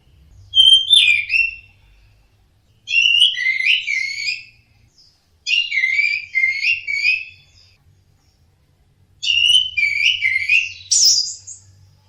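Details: Orange-headed thrush in teler song: four rich warbling phrases, each about a second and a half, separated by short pauses, clear and loud against a quiet low background hum.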